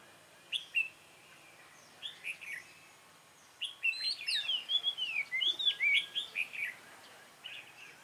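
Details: Red-whiskered bulbul recorded while being trapped with a decoy bird, 24 March 2018; a few isolated whistled notes, then a lively rush of slurred, rising and falling whistles near the end.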